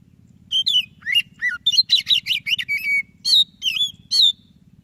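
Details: White-breasted Oriental magpie-robin in full song, played to encourage quiet birds to sing: loud, varied whistles, rising and falling slurs and a quick chattering burst, steady faint hum underneath.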